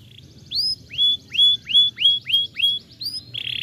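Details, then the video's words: Canary singing, meant to coax a silent bird back into song: a steady run of about eight arched whistled notes, each rising then falling, ending in a brief buzzy burst. "jadikan kenari macet bunyi kembali gacor"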